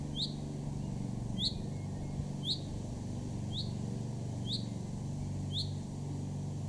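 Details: Male common chaffinch calling in a garden in Weener, East Frisia, northwest Germany, in June 2024: a short, sharp, high call note repeated roughly once a second over a steady low traffic rumble.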